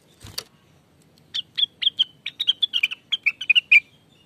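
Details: Greater green leafbird song used as a lure recording: after a sharp click, a rapid run of about fifteen bright, clipped, whistled notes at high pitch, some sliding down, delivered in a steady chattering burst over about two and a half seconds.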